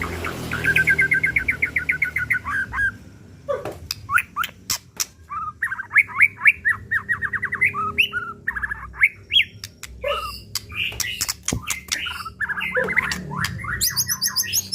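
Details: White-rumped shama, pistol type murai batu, sung as a lure to provoke and draw out its full repertoire: fast rattling trills, then a varied string of whistled, slurred phrases broken by sharp clicks, with low background hum.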